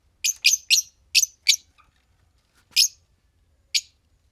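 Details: Fischer's lovebirds, a green pair, give five shrill chirps in quick succession, a soft faint note, then two more isolated sharp chirps after pauses.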